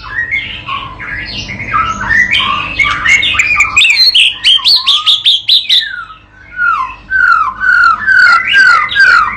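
A white-rumped shama sings a rich, fast medley of clear slurred whistles and quick chattering notes, rising and falling in pitch with barely a pause.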